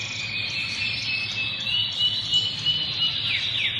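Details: Canary song: a long, steady high trill held at one pitch, with a few quick downward-sliding notes near the end and a faint low hum underneath.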